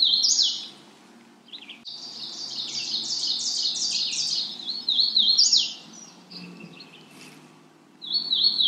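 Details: Magnolia warbler calling in a long run of high, bouncing notes, several short warbled phrases of stepped up-and-down syllables following one another over eight seconds, with a soft low rumble underneath.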